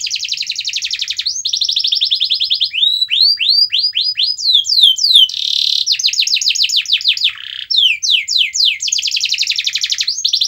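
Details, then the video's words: Canary in full song, played to make a quiet canary sing: loud rapid trills alternate with runs of falling swept notes and brief harsh buzzy bursts, continuous and varied throughout. "Kenari Anda MALAS BUNYI, Coba Putar Video Ini !!!"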